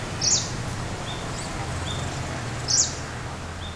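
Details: A male Kashmir Flycatcher in Ooty, Tamil Nadu, India, gives two short, sharp metallic chirps like a Red-breasted Flycatcher's, about two and a half seconds apart, with quick tail vibration; faint thin whistles between, and Greenish Warbler, crow and dogs in the background.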